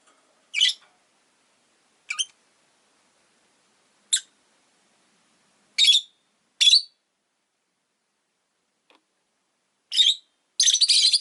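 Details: Rosy-faced lovebirds, five kept in a cage by a window, let out harsh, shrill squawks every second or two, ending in a sustained grating burst of rapid calls.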